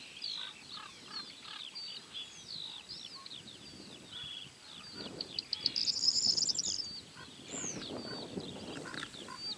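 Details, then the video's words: Corn bunting singing at Julków on 28 May 2017: a short, dense, jangling rattle rising near the middle, set among many thin whistled chirps and trills from other birds, with light rustling noise. "Corn Bunting / Potrzeszcz"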